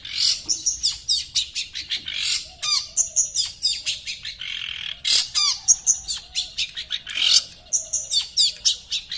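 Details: Long-tailed shrike (Lanius schach) from Sepudi Island sings a fast, unbroken jumble of high chirps, squeaky whistles and harsh chattering notes, several per second, with sharp rising and falling phrases.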